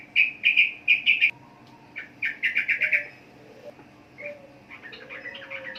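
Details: Sooty-headed bulbul giving loud bursts of rapid, clipped whistled notes in quick clusters of four or five, broken by short pauses, then softer chattering notes at the end.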